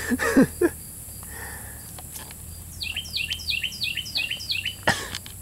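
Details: A bird chirping, said to sound like it is saying the word "stupid": about six quick high chirps that slide down then level off, each roughly a third of a second apart, after laughter and voices, with steady outdoor background noise.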